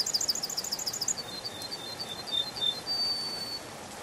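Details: Canary singing in a spring forest: a quick series of high looped notes for about a second, then scattered thin whistled notes, all over a steady broadband hiss.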